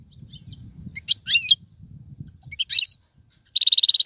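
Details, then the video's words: Goldfinch performing tiwawati, galoubi and serfati phrases: sparse bright chirps and wavering slurred notes, then a sudden fast pulsed trill of about ten rapid beats, with a soft low rumble. "مقنين طيواواطي قالوبي و سرفاتي, هذا الحسون ليس له مثيل"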